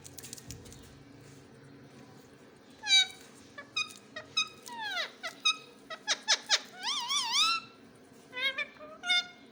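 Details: Captive rose-ringed parakeet vocalizing indoors: a burst of sharp squeaky notes, a long descending whistled sweep, then wavering harmonic tones and quick chirps, with a faint steady hum behind.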